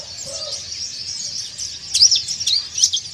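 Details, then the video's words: White-eye in breeding condition calling out to rivals, dakbal style: a faint high hiss of twittering, then a few brighter, sharp high chirps breaking through in the last second and a half. "PLECI DAKBAL BIRAHI MANGGIL MUSUH"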